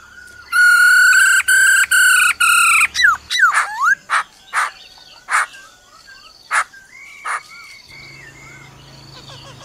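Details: Forest-style song of a black-throated laughingthrush with the female's trilling: loud rich sustained whistles in quick pulses, then sharp swooping slurred notes and harsh bursts, fading to thin high level whistles.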